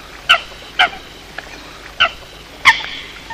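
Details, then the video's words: Eurasian coot calling at night near the end of the 2020 season, linked to night bird trapping: four short, sharp, nasal calls with rich overtones, spaced irregularly over three seconds above a steady low hiss. "tiếng sâm cầm đánh đêm cuối vụ 2020"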